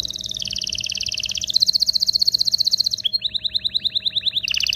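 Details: Canary singing to excite females and males toward mating: sustained high trills sliding in pitch, then a run of fast descending sweeps and a final short trill; faint hum throughout.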